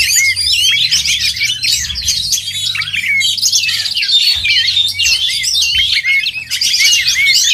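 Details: Oriental magpie-robins singing at a songbird competition: crowded bursts of sharp whistled notes, short hooked upslurs and buzzy trills from several birds, nearly constant, with a soft low rumble underneath.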